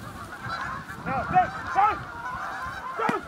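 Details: Canada geese from a flock of thousands along the Salmon River near Truro in March, giving nasal arched honks in loose bursts, several overlapping calls, with a person talking nearby.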